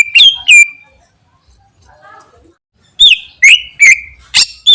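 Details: Greater green leafbird singing energetically: two sharp whistled notes that slur downward, a second of quiet with faint soft notes, then a quick series of loud, sharp, downward-sliding whistles.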